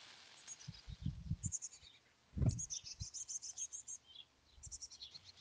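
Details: At a wild chickadee nest near Emigrant, Montana, in July 2022, very high thin chirps come in rapid strings, with low rustling and a loud bump near the middle.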